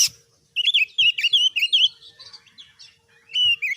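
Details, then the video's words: Oriental magpie-robin (kacer) delivering a quick warbled phrase of wavering whistled notes, followed by a pause and a short loud whistle; low soft thumps behind. "MASTERAN KACER GACOR || Kacer gacor tes mental burung lain agar fighter"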